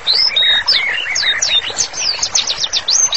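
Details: White-rumped shama singing actively, used as master song for therapy: flowing series of clear, looping whistled phrases, rising then falling, about four per second, over soft chatter.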